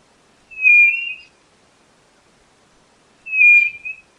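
White-bellied nothura giving two drawn-out, high, clear whistles nearly three seconds apart, each holding a steady pitch, in an otherwise quiet setting.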